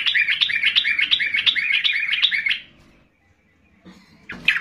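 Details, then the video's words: Sooty-headed bulbul roused to sing by another bird; a rapid chattering series of bubbly notes, nearly three per second, for over two seconds, then a pause and a brief final chirp. "trucukan lain jadi terpancing ikut EMOSI dengan Trucukan Gacor Keras ini"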